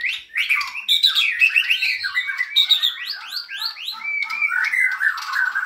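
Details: Caged white-rumped shama pouring out song: quick downward-sweeping whistled notes in rapid series, mixed with warbles and scratchy elements, steady and loud.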